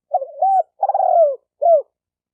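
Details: Spotted dove phrase played to rouse decoy, male and female doves: a wavering lead-in coo, a long rolled note dropping in pitch, then one short falling coo, heard cleanly against silence.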